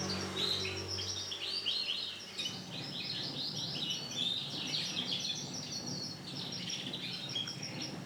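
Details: Yellow female canary in breeding condition, calling to attract a male: a dense run of bright, rapid chirps and twittering trills, high-pitched and nearly continuous over eight seconds, with a low hum at the start.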